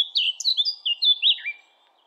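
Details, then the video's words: Eurasian blackcap singing a short, loud, fluty warbled phrase: clear whistled notes that slide and loop, ending in a falling flourish, over a quiet background. "Blackcap Bird Song"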